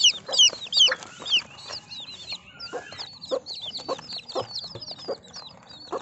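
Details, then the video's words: Chorus of baby chicks: rapid, high-pitched whistled peeps, several per second, each a quick upward or downward slur, from many birds at once, loudest at the start, over faint background noise. "Cute Baby Chicken Sounds"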